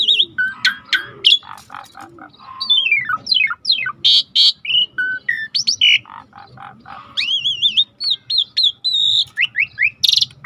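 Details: Asian pied starling song meant to prompt silent birds to sing: a dense, varied stream of whistles, sharp chips, slurred downward notes and wavering trills with hardly a pause.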